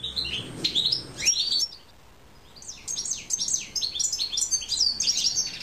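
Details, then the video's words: Song of a hooded siskin: an opening burst of high twittering slurs over a low rumble, a short pause, then a longer stretch of rapid, bright, looping notes delivered in quick succession. "PINTASSILGO (DE GRAVATA)"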